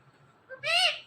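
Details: Pet parrot from a talking pair gives a single short word-like call, a bright harmonic syllable rising then falling, preceded by a faint brief note; quiet room otherwise.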